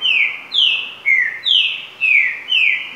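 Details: Green-winged saltator singing the 'virador' song style: loud, clear whistled notes that slide downward, some starting higher and falling, repeated about twice per second in a steady, slightly varied phrase, with a quiet background.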